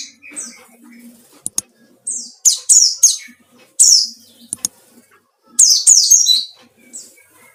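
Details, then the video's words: White-eye song used as a lure to provoke rivals, a wild-type bird: bursts of high, sharp descending chirps and short trills, clustered in quick runs with brief pauses, faint low murmur underneath. "burung pleci ngalas cari lawan//ampuh buat pancingan"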